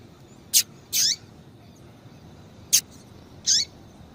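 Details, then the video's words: Calling female double-collared seedeater, used by breeders to warm up and stimulate males, uttering four high notes in two pairs. Each pair is a brief sharp chip followed by a slightly longer slurred note, with a quiet background. "Fêmea de Coleiro piadeira Para Esquentar coleiro"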